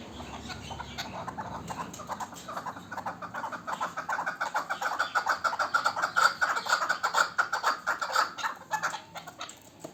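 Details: Chukar partridge calling, with a rhythmic run of short clucking notes repeated about twice a second that build in loudness toward the middle, then ease off; faint background noise.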